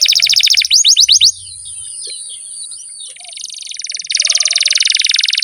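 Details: Canary song used as a tutor recording for young birds reluctant to sing: rapid high rolling trills, a quieter pause with scattered notes, then a long buzzy trill, over a steady high electronic tone.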